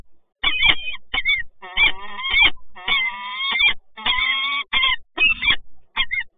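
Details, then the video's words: Peregrine falcons at a power plant in Toruń, Poland, recorded 26 August 2022 during a meeting of the resident pair. Loud, harsh, nasal calls, some short and others stretched into long wavering wails. "Sokół wędrowny PGE Toruń - Spotkanie rezydentów"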